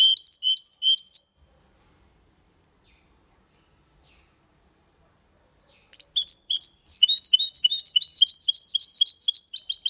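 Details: Malaga-style song of a goldfinch and canary hybrid, sung cleanly: a burst of high twittering notes, a silent pause of over four seconds, then a renewed rapid run of bright, chattering trills.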